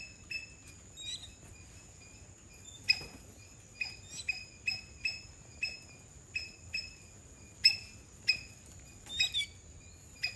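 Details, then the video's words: Two mynas in a backyard in Sri Lanka giving short, sharp, ringing calls in quick bursts, roughly every half second to a second, over a steady high-pitched whine. "2 Myna Birds in the backyard"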